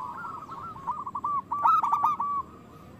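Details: Loud local zebra dove song meant to stir other doves into singing: a quick chain of soft clipped coos, louder toward the end, over a hissing background.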